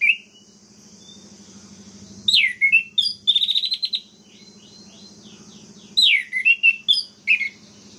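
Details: Song of an orange-headed thrush played to anger rival birds: a varied phrase of down-slurred whistles with a fast trilled, buzzy run, followed by a second phrase of descending whistled notes, over steady low droning.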